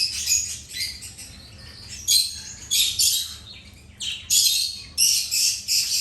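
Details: Birds calling as they eat: loud, rasping, high chirps come in clustered bursts, then brief gaps, then a busier run of chirps near the end.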